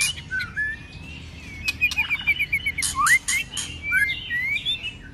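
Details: Many-voiced fighting song of a White-rumped shama, cold season: long glided whistle, then a rapid run of bright chipping notes, a steep rising swoop, harsh scratchy bursts and further looping whistles.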